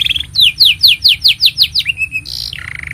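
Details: Canary in full song, offered as master song for training young canaries and prompting silent ones: a run of about nine rapid descending whistled notes, then a short trill and a buzzy rolled phrase at the end.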